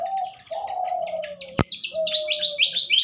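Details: Pied fantail in the morning, a captive bird being paired with a mate for later release, 2023: high squeaky chirps in rapid rising runs, over loud low flat cooing notes from another bird, with one sharp click.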